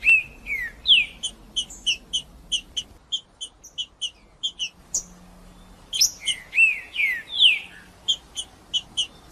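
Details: Green-winged saltator song used to warm up a cold bird and draw its attention: loud clear whistled notes, some sliding downward, mixed with rapid repeated short high chips in a quick rhythm.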